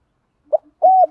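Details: A decoy spotted dove calling to lure wild birds gives a short clipped note followed by one steady, rounded low coo.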